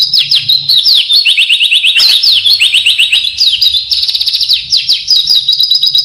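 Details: Oriental white-eye isian (training filler) song, bird singing persistently: dense, high chattering twitter with rapid runs of sharp downslurred notes and buzzy trills, almost continuous over six seconds, faint low hum beneath.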